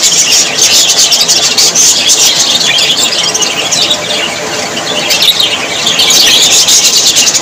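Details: Budgerigars chatter busily, described as very happy; crowded high squeaks and warbled notes pour out nonstop, briefly softening midway before growing loud again.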